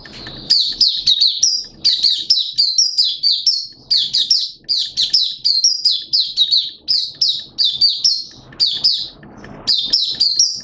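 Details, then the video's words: Caged Malaysian Oriental white-eye (mata puteh) in full open song, recorded 21 June 2023: rapid run of high, thin chirping notes in quick twittering bursts, almost unbroken for ten seconds, with a faint low hum behind. "Malaysian Mata Puteh Buka Sing"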